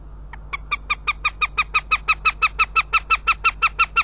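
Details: Northern goshawk in Riga, recorded 12 May 2016, one bird of a pair calling and the other answering; a rapid, regular series of harsh, nasal kek notes, about three per second, steady and evenly spaced throughout.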